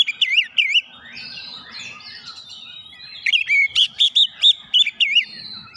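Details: Oriental magpie-robin (kacer) singing to provoke other birds into singing: loud bursts of wavy, whistled notes repeated rapidly, with a quieter stretch of thin sliding whistles between them.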